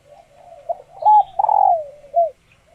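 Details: Laying-condition female spotted dove from a keeper's flock, calling so males grow excited and coo back to court; one phrase of soft low lead-in notes, a sharp arched coo, a long burring falling note and a short final coo.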